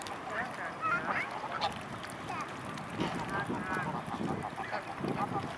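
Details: A swarm of mute swans gathered at Blaues Wunder on 25 May 2016, mid-afternoon. Several short nasal, wavering calls overlap over a steady murmur of background noise and splashing.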